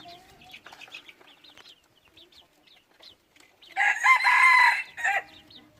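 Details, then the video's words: Decoy red junglefowl cock in Xaysomboun, Laos: soft high chirping notes lead into a sudden powerful crow of about one and a half seconds, bright and strongly harmonic, ending abruptly. "ไก่ต่อดี เสียงดังชัด"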